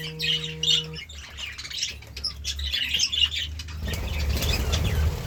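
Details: Morning budgerigar chirping: dense, scratchy high warbling for the first few seconds with a low humming tone at the start, then fading into broad background noise.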